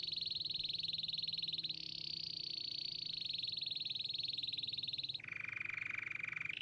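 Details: A singing canary gives fast buzzy trills. One phrase steps up in pitch, holds for several seconds, then drops sharply into a lower rattling roll.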